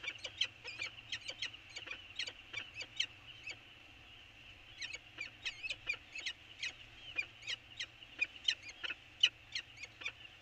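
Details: Peregrine falcons on Anacapa in the early part of 24 January 2020, trading sharp, harmonic calls in quick bursts with a short pause in the middle, over a steady low hum.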